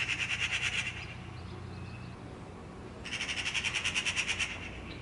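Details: Eurasian magpie uttering rasping, rapidly pulsed chatter, a short burst followed after a pause by a longer one-and-a-half-second rattle, low hum underneath.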